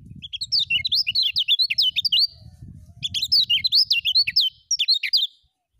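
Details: Lemon-bellied white-eye (kecial kuning) in full ngejos song: fast, high, sweeping notes strung into busy twittering phrases, two main bursts separated by a brief pause, over a faint low rumble.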